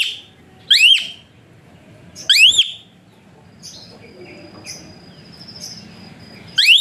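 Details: Asian pied starling whistling, a song used to stimulate lazy birds into singing, with three loud arched upsweeping whistles spaced well apart and a faint thin steady tone in between.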